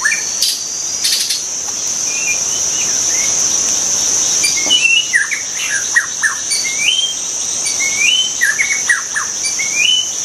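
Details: A white-rumped shama in the wild sings a rich sequence of looping whistles and short sweeping notes, growing busier toward the end, while insects keep up a continuous high whine.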